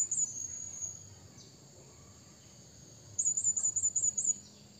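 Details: A blue-crowned hanging parrot calling to a rival gives very high, thin, sharp notes: one brief call, then a quick run of about six chirps in a row, over a quiet background.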